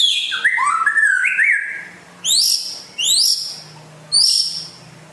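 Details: Rare white-rumped shama from West Aceh, a lively singer, giving a rich whistled phrase that slides down then climbs in steps, followed by three sharp rising upswept notes repeated about every second.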